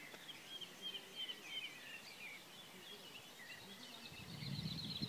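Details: Woodlark singing in the Šobes vineyard, Podyjí National Park, Czech Republic, on 12 May 2016; faint, quick series of liquid, slurred notes dipping and rising at high pitch, over a steady background hiss with a low rumble near the end.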